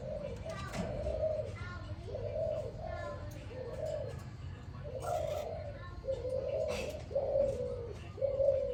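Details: Spotted dove in the morning, a steady run of mid-pitched cooing phrases repeated about once a second against a noisy, rumbling background with a few sharp clicks.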